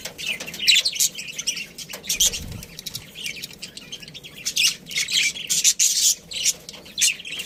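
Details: Budgerigar colony in steady, busy chatter of thin squeaks and grating chirps, with a brief low bump partway through.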